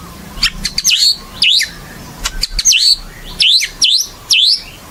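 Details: White-rumped shama, a gacor singer used as a lure for other birds: repeated sharp V-shaped whistled notes that dip and rise, given in pairs with clicking notes between, about six phrases over several seconds.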